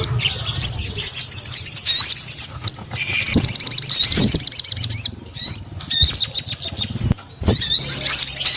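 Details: Actively singing sogon pouring out long runs of rapid, high, rattling chirps broken by short gaps, with single thin whistled notes between bursts.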